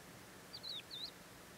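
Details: Crested lark calling: two clear whistled phrases, each a slurred glide dipping down and rising again at high pitch, together lasting about half a second; quiet background otherwise.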